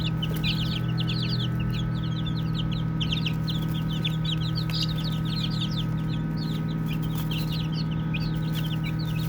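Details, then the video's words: Lively flock of baby chicks chirping as they play, a dense, continuous patter of high peeps rising and falling, with a steady low hum behind. "5 Minutes of Baby Chicks Chirping Sounds | Cute Playing"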